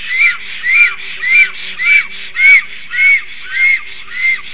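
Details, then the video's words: Black stork pair defending their tree nest against an intruding stork on 12 July 2023, late morning. A regular series of eight loud, arching, nasal squeals, evenly spaced, with faint clicks and a low steady hum beneath. "A strange Black Stork disturbs. Male & female are defending"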